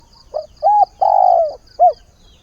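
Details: Decoy spotted dove calling for a mate at the start of a new day: one phrase of a short soft note, a clear coo, a long wavering coo, then a falling coo, over a steady high pulsing background.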